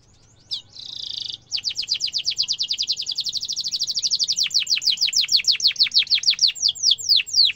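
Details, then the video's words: Canary singing a long rolling trill for training young canaries: a short buzzy burst, then a long steady series of rapid high descending sweeps, roughly evenly paced, ending in wider spaced slurred notes. "Kenari gacor ngerol tajam suara kesukaan kenari muda gampang ditiru efektif untuk masteran kenari"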